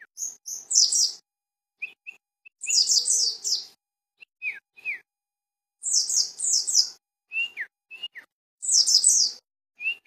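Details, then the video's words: Pleci dakun, the mountain white-eye, from Cisewu in Garut: repeated phrases of rapid, very high chattering twitters roughly every three seconds, interspersed with short thin whistles and downslurred notes. "pleci dakun garut cisewu"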